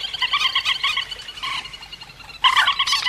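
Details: Rail calls used as a trapping lure: rapid, nasal, squealing notes in runs of about six or seven per second, a brief pause, then a louder, harsher burst.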